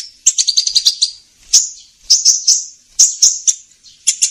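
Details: Sunbird known locally as kolibri ninja, a lure recording used by trappers: high, thin chirps in quick runs of six to eight notes, then sharper sliding tweets repeated at intervals of about half a second.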